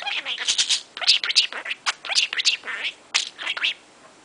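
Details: Morning chatter from a caged pet budgie talking a mile a minute: a fast run of squeaky, speech-like high syllables in clusters of three or four, with short pauses between bursts.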